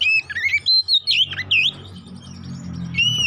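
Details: Kacer poci, an Oriental magpie-robin, in an aggressive lure song: quick twisting whistles and squeaky slurred notes, then a sustained clear whistle, against a low rumbling background.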